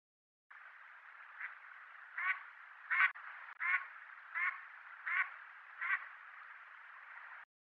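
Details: A breeding-season Mallard, filmed around Nikko, Japan, gives about seven short, harsh, nasal quacks, roughly one every three-quarters of a second, over a steady rushing hiss like running water.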